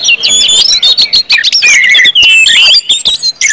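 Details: Orange-headed thrush singing in open, full ngeplong style meant to get other birds singing: rapid sweeping whistles and sharp chips packed tightly together, bright and busy throughout.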